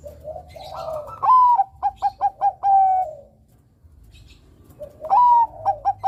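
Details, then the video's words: Loud, vigorous song of a Bangkok-type zebra dove (perkutut), used as a lure: a low murmuring lead-in, a high sliding note, four short punchy coos, then a sustained closing note, with a second phrase starting. "Suara Burung Perkutut Bangkok Gacor Kutut Bangkok Gacor suara lantang ini cocok juga untuk pancingan"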